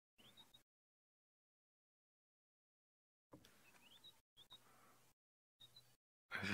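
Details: Ashy tits call at sunrise on 10 June 2017 in the Maasai Mara on a peaceful morning, giving short, thin rising whistles several times in broken bursts while a man talks quietly over a low hum.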